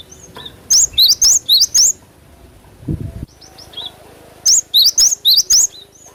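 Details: Natural-sound cinereous tit song for prompting caged birds: two bursts of roughly five piercing, high rising-falling notes about a second long, with a soft thud and faint scattered chirps in the gap between them.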